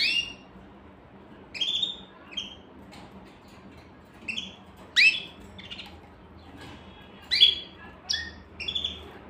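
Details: Canary producing clear, separate high chirps, each a fast downward-sliding note, coming singly or in pairs every second or two, with quiet background between them.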